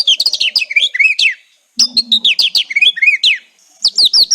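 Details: White-rumped shama song in the kretekan style, used as a lure to make silent shamas sing: rapid, dense bursts of high whistles, sweeping slurred notes and crackling chatter in three phrases separated by brief pauses.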